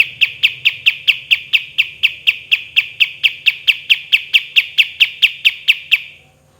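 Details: Pied triller in lively form, delivering a long 'tembakan' volley for training other birds: some twenty-five identical sharp chipping notes, about four each second, evenly paced and level in pitch, over faint low humming.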